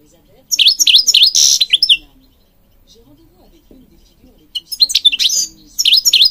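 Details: European goldfinch song for training birds: quick bursts of high, sharp V-shaped chirps and a short buzz, separated by a quiet gap of several seconds, then more twittering phrases.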